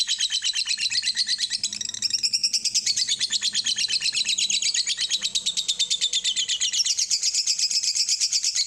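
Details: Long 'ngekek' chatter from a lovebird, used as a lure recording to make birds sing: rapid, piercing high notes rattled out continuously, with slight shifts in pitch and a brief dip in intensity near the middle.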